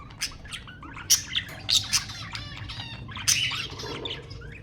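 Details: Budgerigar chirps and short warbled phrases, with sound meant to stimulate mating; bright twittering notes come in irregular bursts with brief quieter gaps over a low background hum.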